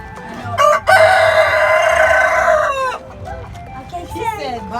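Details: Rooster crowing loudly: a short rising note, then a long sustained harmonic-rich crow of about two seconds, followed by a quieter crow from another rooster in the background.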